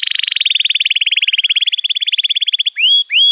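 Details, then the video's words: Canary singing for tutoring young birds and coaxing quiet ones: a long, fast, buzzy pulsed rattle at an even pitch, then two drawn-out, upward-curving whistles. "Masteran Kenari PAUD & Pancingan Kenari MACET BUNYI"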